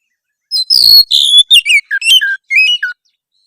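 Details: Oriental magpie-robin giving a harsh song meant to provoke rivals: a rapid run of varied whistled and slurred notes, some falling, others rising, over about two and a half seconds, with no other sounds.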